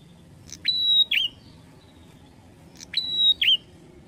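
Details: Bar-winged prinia song: two identical phrases about two seconds apart, each a sharp upward note, a long level high whistle, then a short twisting chirp. Background otherwise quiet.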